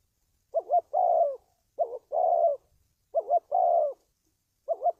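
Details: Spotted dove coos recorded to train decoy birds and attract wild doves for trapping: three clear phrases, each a fast double hiccup then a smooth descending coo, and the start of a fourth phrase at the end.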